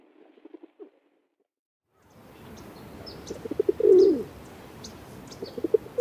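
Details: A pigeon's low rolling coo swells and drops after a near-silent start, while small birds chirp thin high notes around it.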